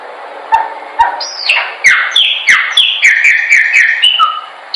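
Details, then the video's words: A chopi blackbird sings for training, opening with two dry clicks before a run of loud, liquid whistles that swoop downward, rapidly repeated in a rich, ringing phrase. "pássaro preto/cantando"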